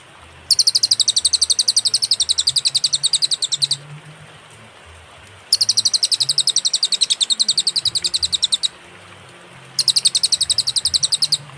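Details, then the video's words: Cililin song from a clear master recording with pauses, used to teach other songbirds: three bursts of rapid, even, high chips repeated about four per second, each burst lasting several seconds, separated by short silences. "burung cililin suara jernih & berjeda"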